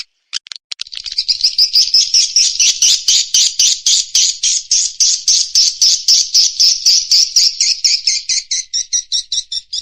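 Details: Swiftlet attraction sound played by Indonesian swiftlet farmers: after a few scattered clicks, a long steady train of rapid buzzy chirps, about four per second, fading slightly toward the end.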